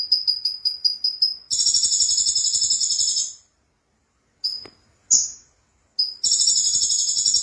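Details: High, rapid repeated chips from a konin sunbird lead into extended buzzy trilled phrases, broken by sharp single notes and a gap, in a strong gacor-style song.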